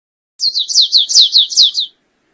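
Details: Stripe-tailed yellow finch singing a quick run of about seven high, slurred notes, each sweeping downward, delivered in a steady rhythm over about one and a half seconds, then silence.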